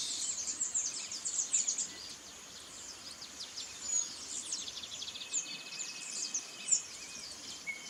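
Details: Burnished-buff tanagers (Stilpnia cayana) foraging in a Brazilian backyard give thin, high, sharp chips in quick irregular bursts, with a steady faint insect-like hum and soft background noise.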